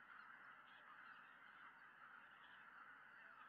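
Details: In early December at a lake in Tohoku, Japan, a large flock of greater white-fronted geese returning together in the evening fills the air with a dense chorus of high yelping honks, single calls blurring together.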